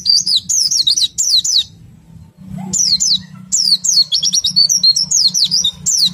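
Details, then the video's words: Oriental white-eye in a continuous ngriwik-style song used to stimulate other white-eyes to join in: thin, high, rapidly wavering whistles in short bursts, a gap around two seconds, then a dense run of chattering notes with a faint low hum. "PLECI meriwik ngerol sambung nembak, sangat ampuh merangsang pleci ikut bunyi"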